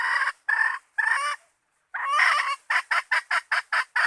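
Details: Hen call used as a bait lure: three harsh, buzzy clucks, a short pause, then a drawn-out squawk followed by a rapid run of about eight sharp clucks.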